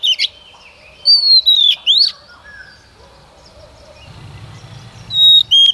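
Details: Female Oriental magpie-robin kept as a lure to stimulate male singing, giving clear drawn-out descending whistles and a rising slur, followed by a quiet interval with faint background sounds and two brief closing whistles.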